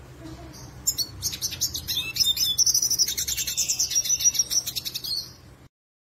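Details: Black-headed siskin, a seed-eating bird kept in a collection, singing actively as a tutor song for other birds: a dense, high twittering run of rapid chirps and thin trills lasting about five seconds, then the song stops.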